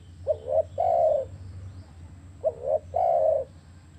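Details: Spotted dove calling, used to prompt captive doves to start calling: a low cooing phrase of a short wavering note and then a longer steady coo, given twice in four seconds, with a low hum in the background.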